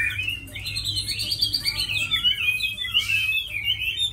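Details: Tame Chinese hwamei, noted as a strong fighter and good singer, giving a loud, lively stream of rich whistled notes sliding up and down, dense and unbroken through the clip, with a low hum beneath.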